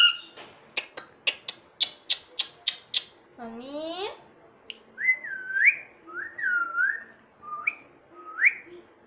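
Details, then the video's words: Indian ringneck parrot, a talking pet that mimics "Mummy Papa", recorded indoors in India. A run of about eight sharp taps, then a drawn-out voiced, speech-like rising sound, followed by short whistled notes that rise and fall, repeated several times. "Talking Parrot || Mitthu Mummy Papa Bolega"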